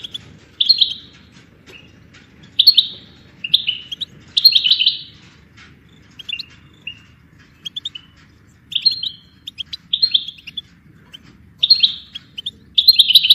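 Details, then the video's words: Goldfinch song for songbird training: short bursts of bright twittering and tinkling notes come every one to two seconds, with brief single chirps between them and a soft low rumble underneath. "Goldfinch ringtones for hunting and high motivation"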